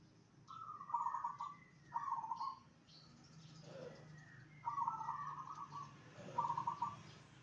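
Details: Zebra dove song to prompt answering zebra doves: four short, purring trilled coos in two pairs, with brief lower notes and faint high chirps between them.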